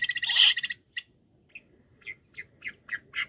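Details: Wild quail, recorded for hunting: an opening rapid rattling burst, then a pause and a run of short chirped notes coming quicker and louder.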